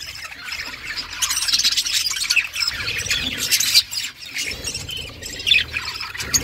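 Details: Budgerigars, a mother feeding her chicks; dense, scratchy high chirping and squawky chatter runs continuously, with brief sharp peaks and a few dips in loudness.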